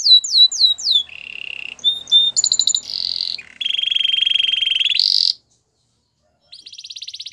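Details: Canary training song: quick falling whistled notes, then a series of changing tours, including buzzy rolls, short bright chips and a long grating trill, a brief pause, and a soft high rattle.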